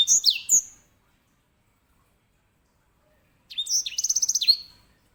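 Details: Grey singing finch (edel sanger, Serinus leucopygius), a small 10–11 cm finch kept as a song tutor for canaries, gives two high, bright phrases: quick sweeping chirps, a pause, then its characteristic loud rolling trill of about a dozen ringing notes.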